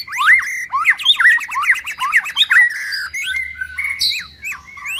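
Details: Male white-rumped shama singing a rich, fast medley of slurred whistles, rising and falling notes and chattering trills, rolling through varied phrases with short pauses, plus a few sharp higher notes near the end.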